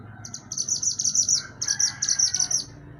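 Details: Mantenan gunung in energetic song, used as a master recording for songbird training. It gives a continuous string of high, sharp, stuttering chirps in two long rapid runs, with a slight pause between them.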